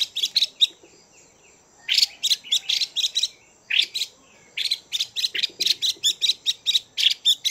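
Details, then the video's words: Caged female Chinese hwamei calling to arouse males, repeated clusters of harsh, buzzy chattering notes separated by short pauses, with soft twitters in the gaps. "Chim Hoạ Mi Mái VIP Chùi Kích Bổi Căng Lửa Mái Gột Chiến."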